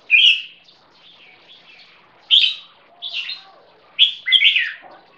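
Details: Caged one-and-a-half-year-old crossbreed jambul (red-whiskered bulbul lineage crossed with yellow-vented and stripe-throated bulbul), champion bloodline from Thai competition stock, benchmarked for its keke song: bright, throaty whistled bursts in four short phrases with pauses, quiet background.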